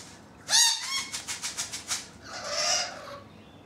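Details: Rainbow lorikeets on a balcony: a sharp rising squeal, then a run of about eight rapid rhythmic chattering pulses, followed by a drawn-out hoarse screech.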